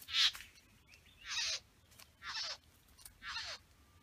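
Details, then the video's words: Male Satin Bowerbird displaying in the bower to females: a sharp opening rasp followed by three slower, hissing, descending buzzes about one second apart, with faint background chatter. "Satin Bower Birds"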